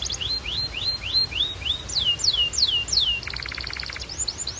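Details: Singing Belgian canary: rising whistled notes repeated in quick succession, followed by drawn-out falling slurs, a brief buzzy rattle, and more upward sweeps.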